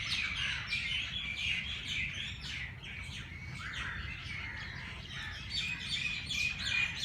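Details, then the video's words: Early-morning birds at Jilani Park's Race Course in Lahore, several calling at once with quick, sharp chirps and short downslurred tweets, a few bright whistled notes near the end, and a steady low rumble underneath. "Birds sounds Chirping at race Cource Jilani Park Lahore صبح سویرے پرندوں کی پیار بھری باتیں"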